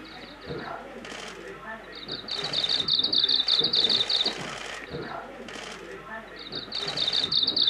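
A Japanese Leaf Warbler repeats a high, rhythmic phrase of quick paired notes, each run lasting about two seconds, over bursts of rushing background noise.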